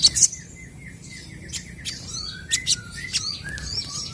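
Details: Crested jays exchanging calls: a soft, wavering whistled line, then short, clear, rising and falling whistled notes with a few sharp clicks, fairly quiet throughout.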